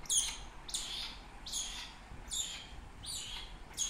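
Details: Rescued adolescent female black-shouldered kite indoors, exploring a living room while in rehabilitation before release; sharp, high, thin calls that slur downward, repeated about every 0.8 seconds with quiet gaps between.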